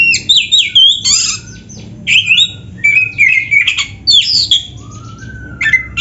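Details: Varied song of an actively singing oriental magpie-robin, rich in filler phrases: repeated bursts of scratchy notes and bent whistles, separated by brief gaps, with softer lower whistles toward the end.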